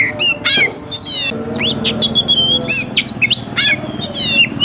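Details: Oriental magpie-robin singing in fighting mode with spread tail, kept bird recorded for training: clear whistled upward slurs alternate with sharp buzzy rasps and short chatters, loud and varied, faint low droning underneath.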